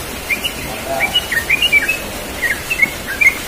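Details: Morning 'ropel' song of a yellow-vented bulbul, a quick string of bright, clipped, up-and-down chirps scattered across three and a half seconds against faint steady background noise.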